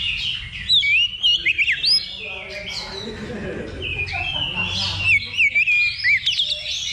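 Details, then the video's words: Oriental magpie-robin singing in a simulated level-2 songbird contest used as practice before competing: loud, varied whistled phrases with sharp up-and-down slurs and quick chattering notes, overlapping song from other birds, and a man speaking briefly. "Simulasi Lomba Kacer Level 2 Tuk Latihan Sebelum Tanding"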